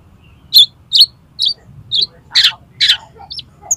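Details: Oriental magpie-robin song for tutoring and prompting contest birds to sing: a series of short high chirps about every half second, then louder harsh rasping notes and a few thin upslurred whistles.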